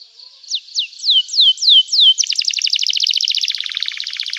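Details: Canary delivering lively 'gacor' song to provoke replies from other canaries and to help canaries that stopped singing: five slow, clear downslurred whistles, then a fast, buzzy rolling trill that grows denser.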